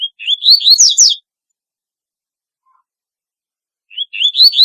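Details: Song of a double-collared seedeater, noted as very distinctive: a quick run of sweet, slurred, upward-sweeping notes for about a second, then nearly three seconds of silence before the phrase begins again.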